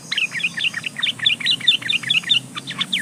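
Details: A breeding-condition female yellow-vented bulbul calls males, serving as a lure. A steady series of bright, bubbly, slightly liquid notes, about three every half second, over faint hum.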